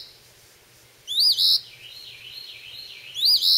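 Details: A recently fledged phoebe at a porch in a yard on May 21, 2012, likely practising its calls while catching insects, gives two short, high, buzzy calls about two seconds apart over a faint low hum.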